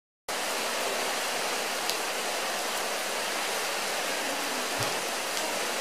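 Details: Dense, loud rushing hiss like pouring rain or falling water starts after a brief silence and continues unbroken, with no animal call audible.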